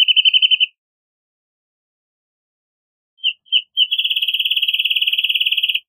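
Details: Wrentit (Chamaea fasciata) song: the tail of one rapid trill, a pause of over two seconds, then two separate introductory notes and a long, even, high trill of rapid pips.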